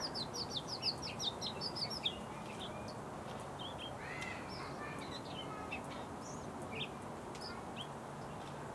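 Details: Bluethroat song opening with a fast run of rapidly repeated high notes, then shifting to scattered varied chirps and short whistles against a noisy outdoor background.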